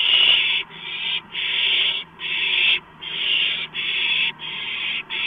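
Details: Owlets competing over a large rodent just delivered, March 2015, around midnight. Loud breathy hissing screeches come in about seven long bursts, each roughly half a second, separated by short quiet gaps.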